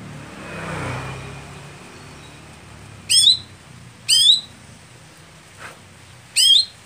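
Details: Greater green leafbird, a contest bird that is slow to warm up and late to perform during a competition. It gives three sharp, bright chirps with twisting overtones, irregularly spaced about one to two seconds apart, over a faint low rumble.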